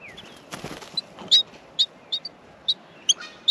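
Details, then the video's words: Australian miner nestlings begging in the nest while being fed: sharp high chirps, some doubled, come in quick irregular bursts over a soft background hiss. "Australian Minor baby birds in the nest feeding"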